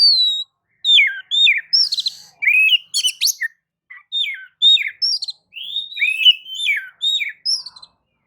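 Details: Shama song used as a lure to get other birds singing, a continuous run of varied whistled phrases, quick downslurred notes and brief buzzy bursts, strung rapidly one after another with barely a pause.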